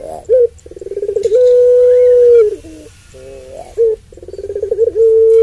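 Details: Puter pelung dove with a long voice, used as a lure to provoke other puter pelung doves: steady low tonal coos with pulsed stuttering trills between them and one long held note lasting over a second.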